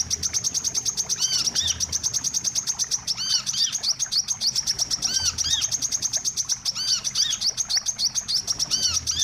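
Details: Wiceh calls for trapping birds: dense, fast high chirping runs through the whole stretch, mixed with repeated curved, ringing notes that rise and fall in clusters.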